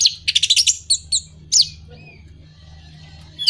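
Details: Anis merah, the orange-headed thrush, singing as a stimulus for moulting or non-breeding birds: a quick run of sharp high chips and trills, a few separate slurred notes, then a quiet stretch with a low steady hum.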